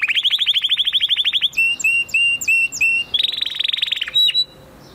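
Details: Canary singing a rapid high trill of quickly repeated notes, followed by a series of separate whistled notes with sharp upper overtones, then another fast trill and a short closing note.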